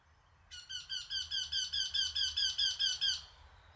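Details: Eurasian wryneck singing a rapid series of about thirteen nasal, harmonic-rich notes, evenly spaced a little over a fifth of a second apart, growing louder then steady, in a quiet setting with faint low rumble.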